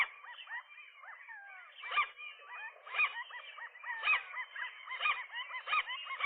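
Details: A morning clash at a nest, the resident gull couple against a lone intruder: overlapping arched yelps build into loud clusters about once a second, with long slurred wails running underneath.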